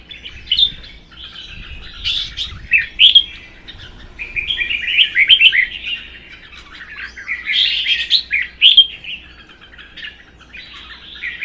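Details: Caged red-whiskered bulbuls sing against each other in a contest, one a mature wild-caught bird; lively warbling phrases with sharp high accents come in uneven bursts, with short pauses between.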